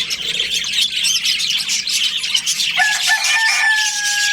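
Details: Breeding-season budgerigars in a colony chattering: fast, irregular high chirps about three or four a second, then a pair of level, sustained whistled tones near the end.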